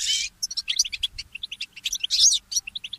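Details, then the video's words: Goldfinch mule, a goldfinch hybrid, singing in the early morning: rapid chains of high sweet chirps and twittering notes, with short bursts of dense buzzy warbling at the start and near the end, plus faint low background rumble. "The inspiring Motif of the Mule Goldfinch"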